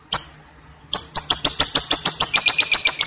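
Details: Lovebird starting a ngekek song: two short shrill notes, then a rapid rolling chatter of high, buzzy notes about four per second, growing denser toward the end.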